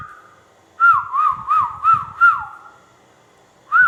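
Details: Ringneck parrot giving a run of five quick, wavering whistled notes on a steady pitch, rising and dipping, then a pause and one more whistle; soft low thuds beneath.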